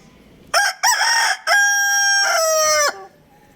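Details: Young rooster crowing: two short choppy opening notes, then a long, harmonically rich, steady crow held for over a second before dropping off abruptly; quiet background.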